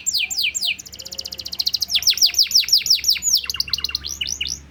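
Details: Canary master song meant to set other birds singing, cengkok style: fast downslurred whistles repeated in rapid runs, several series of sweeping high notes with short pauses between them.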